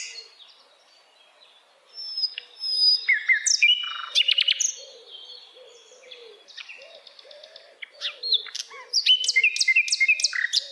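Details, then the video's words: Sikatan Londo flycatcher singing in wild forest: varied bursts of sharp chirps, short whistles and rapid buzzy trills, with softer low warbling notes from another bird in the background. "kicauan Sikatan Londo Dialam Hutan Liar"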